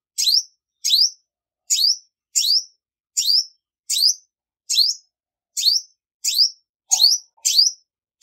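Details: A female olive-backed sunbird repeats high, sharp upswept chirps steadily, a dozen in eight seconds, the last few coming closer together; silence between notes.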